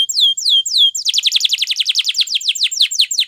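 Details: Spanish Timbrado canary singing a training song: three long falling whistled slurs, then a rapid, even run of short descending notes at nearly four per second.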